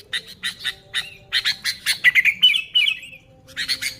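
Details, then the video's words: Sooty-headed bulbul chatter meant to attract wild bulbuls: spaced harsh notes building into a run of fast scratchy bursts, then a short sequence of clear whistles before the chatter resumes. "Suara Burung Kutilang Gacor ASLI Tanpa isian, Ampuh untuk Pikat Kutilang bikin kutilang Ribut gacor"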